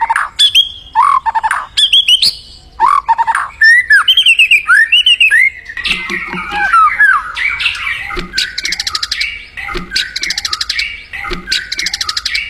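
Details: Free-living white-rumped shama in full, active song: clear rich whistles that rise and fall, sharp clicks, sweeping slurred notes, then rapid buzzy trills repeated in short bursts.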